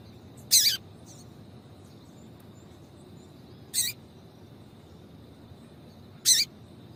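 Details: Female double-collared seedeater calling to stimulate a male: three short, harsh, high chips spaced about three seconds apart over quiet background hiss.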